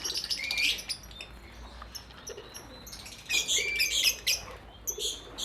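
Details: Lovebird colony kept in an aviary, mixed colour varieties: bursts of sharp high chirps and short rising whistles from several birds, with quiet gaps and light rustling between.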